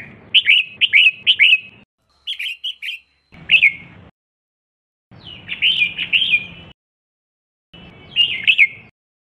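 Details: Female red-whiskered bulbul calling to stimulate males to sing: bursts of short, bright chirping notes in quick clusters, with brief silent gaps between phrases and a faint low hum behind some phrases.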